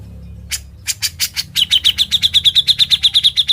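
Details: Grey-cheeked bulbul in full, busy ngebren song, kept as training material for other birds. A few rough, scratchy bursts give way to a fast, steady run of short, high, clipped notes, about six each second, without pause.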